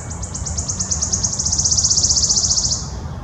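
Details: Wood warbler song: a dry trill of high ticking notes that speeds up and merges into a shivering rattle over nearly three seconds, then stops abruptly, over a low background rumble.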